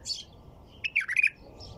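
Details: After a faint high chirp, a white-eared bulbul sings a compact burst of five or six bubbling, slurred notes in quick succession.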